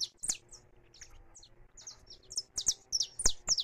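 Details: Saffron finch singing free: scattered very high, thin chirps and short sharp notes, sparse at first and then quickening and louder toward the end, mixed with a few dull clicks and thumps.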